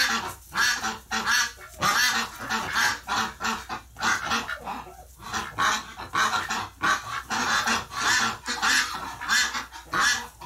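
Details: Ducks freaking out after a member of their flock died in the hospital, 30 November 2018: dense, irregular barrage of harsh nasal quacks from several birds, some short, some longer and louder.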